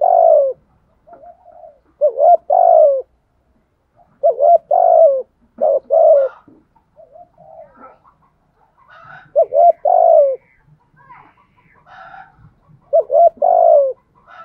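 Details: Decoy spotted dove cooing the 'bài lối' pattern: low, mellow phrases of clipped coos ending in a longer falling note, repeated roughly every two to three seconds, with faint chirps of other birds between phrases.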